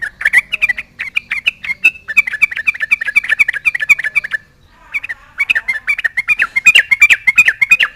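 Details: Energetic Yellow-vented bulbul singing to challenge rivals and prompt replies: loud, fast chattering run of bubbly, slurred whistles, a short break, then more rapid gurgling phrases, fairly uneven in rhythm.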